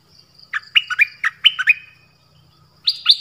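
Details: Dok taeng songbird, an individual singing many song phrases: clipped, high chirps in a quick burst of about eight notes dropping between two pitches, a pause, then two more sharp rising notes.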